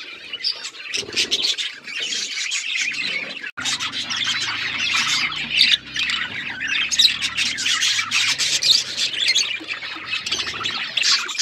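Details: Several pet budgerigars of varied colours playing with each other, giving a dense, continuous stream of high, scratchy chirps and warbling chatter that overlap throughout, with a brief pause near the middle.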